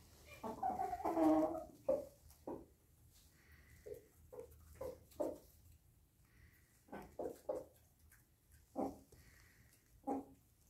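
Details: Flock of Brahma bantam chickens giving loud rough clucks at the start, then scattered short clucks and a few faint higher notes from other birds in the background.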